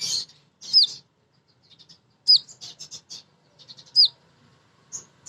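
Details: Female crimson sunbird calling to males, a lure for birds to sing: three loud hooked whistles sliding downward, each about every one and a half seconds, mixed with soft high chips.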